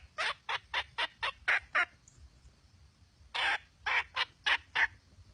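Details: A red junglefowl hen utters seven rapid raspy clucks, breaks off for over a second, then resumes with a longer harsh note followed by several more clucks; quiet background.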